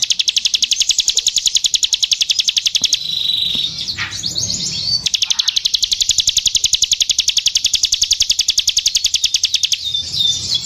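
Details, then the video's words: Energetic song of a bar-winged prinia (ciblek sawah): long runs of fast, evenly repeated high chips at roughly three to four per second, interrupted twice by short buzzy, scratchy notes before the steady chipping continues. "ciblek sawah gacor (ciwah)"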